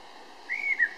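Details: Eurasian blackbird in Berlin-Weißensee, Germany, in June: a single brief fluted whistle that swells, slides slightly downward and ends with a short second note.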